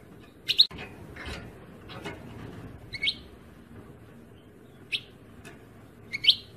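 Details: European goldfinch: bright chirps repeated every second or two, each a quick rising and falling note, with a soft click and faint background noise.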